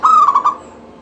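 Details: Singing local zebra dove, a lively caller whose voice prompts other doves to sing: a single clear coo phrase starting high and breaking into three quick pulses, then quiet.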